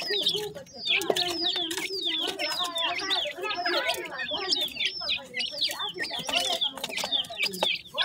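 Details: Grey francolin chicks just after hatching call to their mother. Many shrill, quick chirps and rising-falling peeps crowd together in a continuous busy chatter, with faint human voices in the background.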